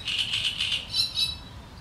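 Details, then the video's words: Great reed warbler in reeds giving a short burst of its sharp chatter: about five grating, even notes in quick succession, then two higher scratchy notes. A low rumble sits underneath. "Trzciniak - jego ostre szczebiotanie w trzcinach"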